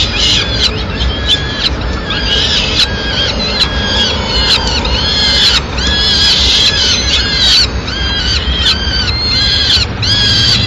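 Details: Peregrine falcon at a nest in Madrid, 29 April 2016, as the mother brings food to the chicks; repeated shrill, wailing notes with arched harmonics come in quick succession over constant background rumble.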